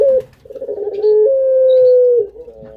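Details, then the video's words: Breeding-stock collared dove giving a loud, smooth, sustained coo held on one steady pitch for over a second, preceded by a brief rougher note and followed by a softer dip. "Indukan Burung Puter"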